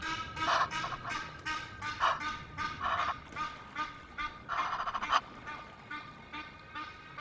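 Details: Egyptian geese calling noisily at Loch of the Lowes in Scotland, 5 March, via webcam: repeated nasal honks with strong harmonics, several loud bursts mixed with fainter rasping notes, pulsing irregularly for about seven seconds.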